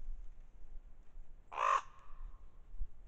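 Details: A common raven at a deer carcass that ravens are feeding on while a lone coyote tries to get in, giving one harsh, throaty croak, brief and rasping with a short trailing tail, over a low outdoor rumble.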